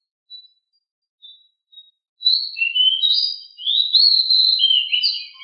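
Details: Pied bushchat (decu) kept at home, from a master recording to make birds sing: a few faint thin notes, then a sustained stream of high, buzzy, slurred warbling for about three seconds.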